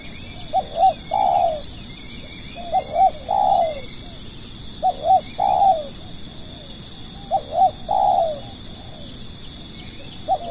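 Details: Decoy spotted dove used for luring wild doves, giving its cooing phrase about four times at uneven intervals: a quick double note followed by a drawn-out falling coo, with soft background bird twitters and constant high insect buzz.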